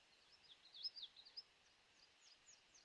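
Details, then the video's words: An Alder Flycatcher gives a quick, burry, high 'wee-bee-o' phrase, with a Common Yellowthroat singing in the background at the beginning and faint thin notes from other birds around it. "If you're really listening with this Alder Flycatcher recording,"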